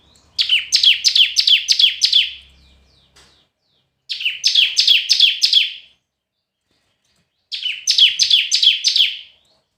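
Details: Red-whiskered bulbul in competitive singing: three energetic bursts of quick, sharply falling whistles with buzzy endings, each about one and a half to two seconds long, with a faint low hum after the first burst.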